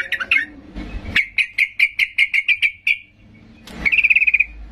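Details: Agitated sooty-headed bulbul singing hard to provoke quiet birds into replying. A brief rough opening gives way to a steady run of about ten sharp, evenly spaced notes, then a fast rattling trill after a pause.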